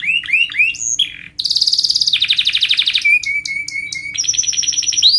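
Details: Canary training song for young canaries: rising chirps, a sudden intense buzzy trill, then a long steady whistle with high downward flicks and a high, level trilled run.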